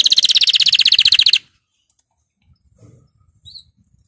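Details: Canary song played to encourage canaries to sing: a loud, fast, buzzy trill of evenly repeated high notes lasting under one and a half seconds, then near silence with faint soft clicks.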